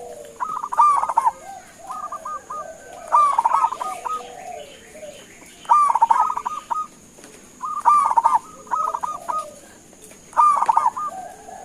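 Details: Local zebra dove (perkutut) calling for a reply from other doves; six regularly spaced phrases of rapid, bubbling, stuttered coos about every two seconds, with faint lower coos and a steady hiss between.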